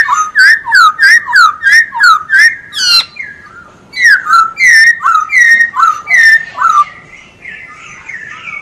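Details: Masked laughingthrush in energetic song, used as a tutor recording for other birds: rapid series of loud, downslurred whistled notes, about three per second, with a brief pause midway, then softer warbled phrases at the end.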